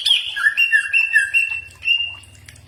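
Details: Green leafbird singing in a training recording meant to provoke a reply: a sharp opening note, then a string of level, slightly slurred whistles at two pitches, with a faint low hum beneath.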